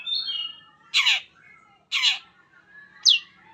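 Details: Long-tailed shrike song used to prompt other shrikes to sing: a thin high whistle, then two harsh rasping notes about a second apart and a sharp rising squeak.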